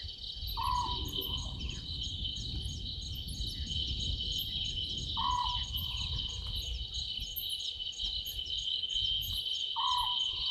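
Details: Owlet in a tree at a Djuma Game Reserve waterhole, South Africa, 00:38 on 11/12/2023: three low, purring notes spaced roughly every 4.5 seconds, each with a sharp onset, over a shrill insect chorus and low rumble.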